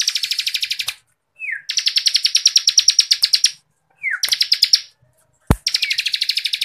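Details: Bar-winged Prinia delivering dense ngebren trills for songbird contest masteran: fast ticking buzzy bursts, each preceded by a short falling slur, with one sharp click between phrases.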